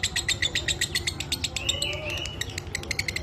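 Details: Pet lovebird (minor kering type) training recording: rapid dry chirps repeated about four per second, with a brief rising whistled phrase in the middle; low background hum.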